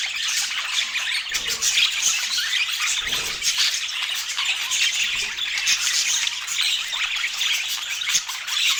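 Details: Feeding budgerigars in Scandinavian daylight keep up constant high, scratchy chirping and squawks from several birds, level and busy throughout.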